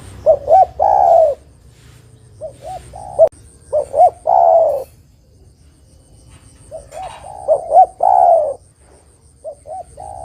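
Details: Spotted dove lure song for trapping: two full phrases about six seconds apart, each a quick cluster of hooked notes swelling into a long falling coo, with softer paired coos between and a thin high whine.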